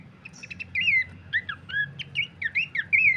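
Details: Horsfield's babbler sound used as a lure and master song for training birds: short bursts of slurred, rising and falling whistled notes, several in quick succession, over a steady low background hum.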